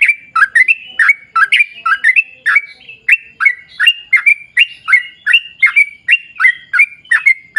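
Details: Fast, lively long-run song of a sooty-headed bulbul used to provoke other bulbuls to sing: a dense train of bright, bouncing whistled notes, rising and falling, with no pauses.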